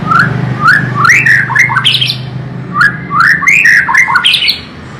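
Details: White-rumped shama delivering fast, varied song phrases of sliding whistles and loud chattering notes in two bursts, with a low mechanical hum beneath.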